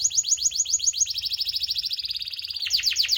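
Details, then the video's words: Lure song of a canary meant to get non-singing canaries to sing. Rapid high trills of downward-sliding notes shift pace midway and end in louder, slower descending sweeps. A low background hum is also present. "Pancingan suara kenari malas bunyi"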